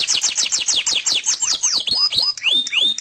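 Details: Loud canary song, opening with quick runs of high downslurred notes about eight per second, slowing into longer whistled sweeps that rise and fall steeply.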